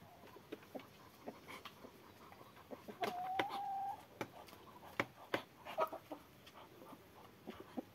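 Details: Hens out on a walk together with ducks, clucking: soft scattered clucks, one drawn-out flat call of about a second, then quick sharp clucks, over a steady background hiss.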